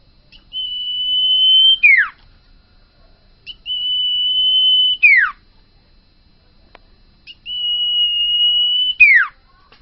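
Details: Common iora (sirtu), a bakalan bird, singing gacor in owor-owor style: three long, steady high whistles, each about a second or more, ending in a sharp downward slur, repeated every few seconds over a quiet background.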